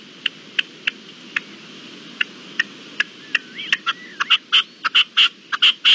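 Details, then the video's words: Red-legged partridge calling on 25-04-21: a run of sharp, spaced clicks that build into louder, harsh, chopped bursts, repeated about one and a half times per second near the end, over a faint steady background hiss. "Perdiz (Reclamo al final del vídeo)"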